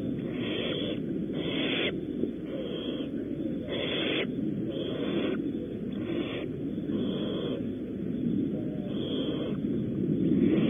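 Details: A rapid series of short, harsh, breathy hisses from barn owls at the nest during prey delivery at Audubon Starr Ranch, California. The hisses repeat irregularly, several per two seconds, over constant background noise.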